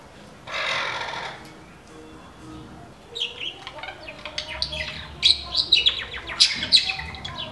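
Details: A wren, named as a dark-tailed chivirín nesting in a wooden garden birdhouse in northern Ciudad Nezahualcóyotl, State of Mexico, gives quick, dry, scratchy, high, uneven chips and chatters in bursts after a short rush of noise.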